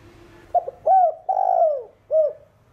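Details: Spotted dove singing in the thổ đồng voice style, played to stimulate other doves to coo: a clean four-note phrase of short opening note, rising-falling coo, long drawn descending coo and short final note.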